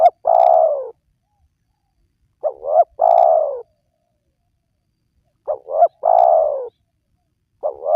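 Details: Lure recording of a spotted dove meant to draw lazy wild doves into calling: a long, fading coo following two quick short notes, the three-part phrase recurring roughly every three seconds against a silent background.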